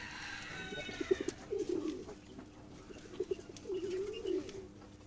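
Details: Cock domestic pigeon cooing to a female during pairing in a cage, the female accepting him; he had been brought from his chick. Low throaty coos come in short bursts and longer rolling phrases, with faint higher bird calls early on.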